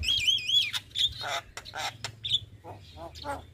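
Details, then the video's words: Javan myna, white-eyed type, singing as a prompt for quiet caged mynas: wavering high whistles followed by harsh rasping bursts and grating notes, with a steady low hum underneath. "Pancingan Suara Jalak Kebo Mata Putih"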